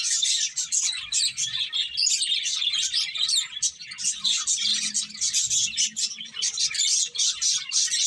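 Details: Many finches chirp while eating, a constant shrill twittering chorus, with a faint low hum in the middle.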